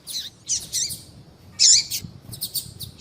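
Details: Calling female Double-collared seedeater, used to stir up males and in female-call contests among breeders; a quick series of high, buzzy chirps and twitters, with one loud burst midway, over faint background hum.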